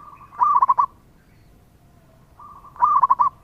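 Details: Active local zebra dove singing, used to lure other birds: two matching phrases about two and a half seconds apart, each a quick cluster of loud stuttering coos with softer notes before and after.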